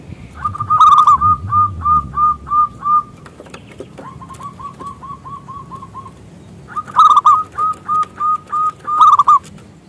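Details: Zebra dove song, local bird, played to prompt other doves to sing: an emphatic rolling start followed by steady strings of clipped coos, a softer run in the middle, then another loud bubbling series.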